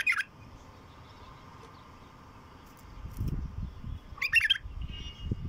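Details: Wild bulbul song: a short liquid note at the very start, then after a pause a fuller burst of rapid, bubbling warbled notes, with low rumbling handling or wind noise underneath.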